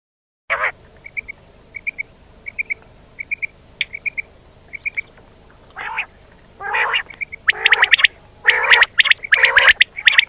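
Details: Common quail call from Pakistan, used to lure quail for hunting: a soft, high three-note chirp repeated about every 0.7 seconds, then loud harsh rasping bursts and sharp clicks take over the second half.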